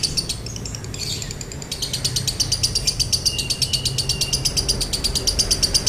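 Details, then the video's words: Dry-toned 'konslet' song of a lovebird, meant as a training and provoking recording: a short irregular twitter gives way to a steady run of high, buzzy, rapidly repeated chatter notes over low background noise. "MASTERAN LOVEBIRD KONSLET NADA KERING | PANCINGAN SUARA LOVEBIRD KONSLET"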